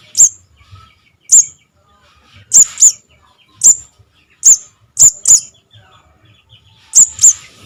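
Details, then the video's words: Chick calls of a Javan cuckoo, used as trapping lure: single and paired piercing high squeaks repeated irregularly about every second, clean with little background. "SUARA ANAKAN BURUNG SOGON - SOGOK ONTONG"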